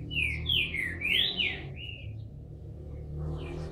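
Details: Bald Green-winged Saltator, captive in Brazil and emerging from moult, sings one quick phrase of linked whistled notes rising and falling, then a short trailing whistle, followed by low background noise.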